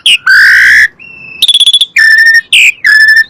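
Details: Lure recording of Asian pied starling song meant to prompt caged birds to answer: loud harsh wheezy notes alternating with clear level whistles, a quick stuttered burst and falling slurred calls.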